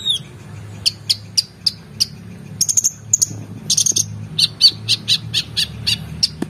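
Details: Brown-throated sunbird singing vigorously as master material for competition birds: evenly spaced high chips about three per second, breaking into quick trills and tighter bursts, over a steady low rumble.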